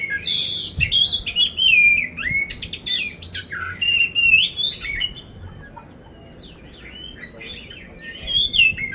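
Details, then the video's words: Competition-ready poci oriental magpie-robin in Magelang, Central Java, pours out a long stretch of varied whistles, rattling bursts and harsh chips for five seconds, goes nearly quiet, then restarts with bright slurred phrases. "poci gacor isian kasar"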